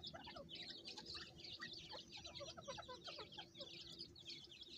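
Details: Francolin chicks on a farm while their mother calls them, producing a busy stream of rapid high-pitched peeps from several birds, plus sparse lower chirps over a faint background hum.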